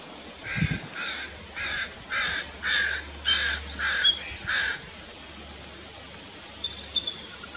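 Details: Crow pestering an adult Dunlop, 16 June 2016: a run of about seven harsh, broad caws spaced roughly half a second apart, then quiet, with a few faint high chirps near the end.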